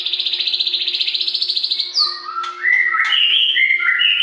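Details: Loud white-rumped shama song, a morning training recording for captive birds: a pulsed rattling trill at about four beats a second for two seconds, followed by clear whistled notes hopping between pitches.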